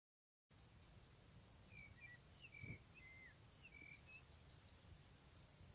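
A trumpeter finch gives thin, slightly nasal, short notes, about eight of them over four seconds, some rising and some falling, over a steady low wind rumble.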